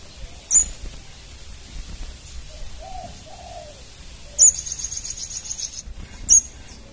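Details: Young untrained crimson sunbird calling back at once to a lure: three piercing high chips spaced about two seconds apart, one followed by a rapid buzzy trill. Soft low cooing from another bird sounds in the background.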